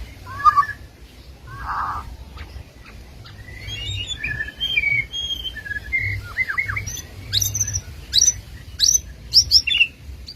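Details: White-rumped shama (murai batu), Medan, with two short low buzzy notes followed by a varied run of clear whistled slurs and rising notes, ending in quick high sharp chips.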